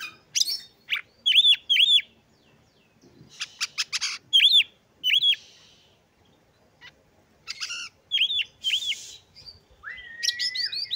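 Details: Oriental magpie-robin song mixing clusters of arched whistled notes in pairs with clicking ticks, a rough buzzy burst and a rising whistled slur at the end, separated by short silences.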